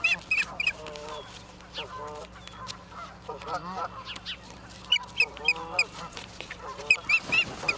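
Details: Osprey at its nest in Charlo, Montana, on 28 September 2023 at 17:45, captured by a live nest camera; sharp high chirps in quick irregular bursts, with lower curved tonal calls and faint background noise.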